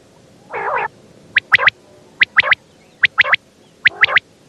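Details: One nasal, wavering squawk from a female quail is followed by four evenly spaced groups of sharp, high double clicks, roughly one group per second.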